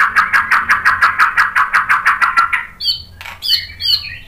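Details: White-rumped shama song used as a lure to provoke another bird into answering and singing: a fast run of harsh buzzy notes, about three per second, then a few high whistled notes sweeping down.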